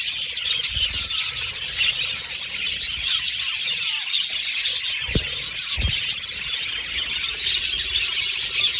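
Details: Pet Australian budgies whistling, chattering and singing together: a dense, unbroken wash of high, scratchy warbles and chirps, with two brief low thumps near the middle.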